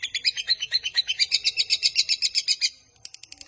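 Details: Lovebird 'ngekek panjang' for luring and training birds: an evenly pulsed, shrill chattering trill of about four notes a second, running nearly three seconds, then a few sharp clicks.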